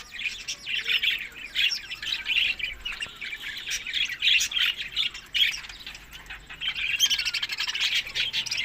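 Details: Budgerigars eating summer food, May to June, in Larkana, Sindh, give harsh scratchy squawks mixed into constant chirping chatter, the noise swelling louder toward the end.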